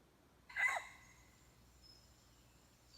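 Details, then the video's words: Red junglefowl at a decoy calling contest gives a single short, loud, harsh burst with stacked harmonics, lasting under half a second, then near silence with faint high insect-like tones. "ต่อไก่ป่า100 ແຂ່ງທອງ ສາຍກຸກ"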